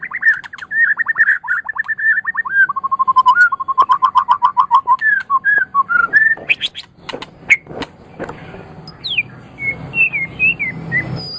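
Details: Champion Medan white-rumped shama in a long song: rapid trilled whistles dropping in pitch, a steady run of repeated notes, then sharp clicks, rising sweeps and varied short whistled phrases toward the end.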